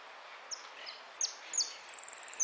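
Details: European goldfinch singing at a contest held 03 02 13, in the repique style: a few sharp, high, downward-slurred notes spaced apart, then a quick run of thin repeated ticks at the end, over steady background hiss.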